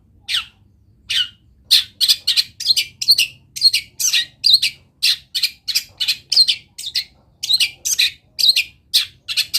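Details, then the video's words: Long-tailed shrike singing a lively masteran song packed with mimicked wild-bird phrases: a dense, nonstop run of short, high, scratchy chirps and twittering notes, tightly repeated with hardly any pause, over a faint low hum. "CENDET GACOR ISIAN MELIMPAH - MASTERAN CENDET GACOR FULL ISIAN BURUNG LIAR"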